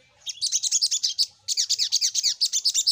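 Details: Sogok ontong, or little spiderhunter, used for luring. Two long, even runs of rapid, sharp, high chirps come at about eight notes a second, with a brief pause between the runs.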